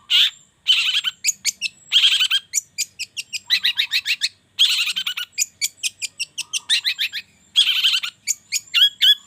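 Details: Long-tailed shrike lure song for the morning, meant to make even silent shrikes sing: rapid varied phrases mixing harsh buzzy bursts with sharp high chips and clicks, broken by short pauses.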